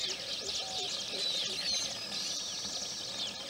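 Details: High, busy twittering from Baya weavers gathered at their nest in the morning, Udaipur, Rajasthan, India, with thin whistled slurs, a few lower pulsed calls in the background and some soft clicks.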